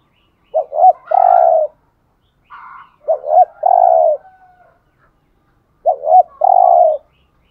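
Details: Spotted dove used as a decoy bird, cooing to lure other doves. Three low phrases, each two short clipped coos followed by a longer drawn-out coo, come roughly every two and a half seconds. A faint, higher brief note sounds between them over a quiet background.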